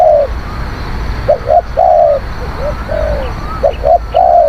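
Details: Decoy spotted dove cooing, a bird described as a bold, fierce caller: a long sliding coo, then paired short notes leading into another sustained falling coo. Faint higher whistles sit in the background.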